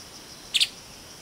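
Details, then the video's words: Streaked Spiderhunter (Arachnothera magna) gives a brief, sharp, high, metallic double chip over a faint steady hiss. "Streaked Spiderhunter (Arachnothera magna)"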